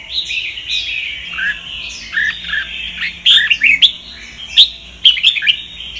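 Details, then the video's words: Red-whiskered bulbul song in the Sông Kon style, played for voice training; continuous warbling whistles with short down-slurred notes and scattered sharp chirps. "Chào mào luyện giọng cực hay"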